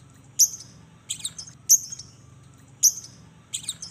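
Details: Lovebird used as a lure to get other lovebirds singing; five short, sharp high chirps spaced irregularly across about four seconds, with a faint low hum between them.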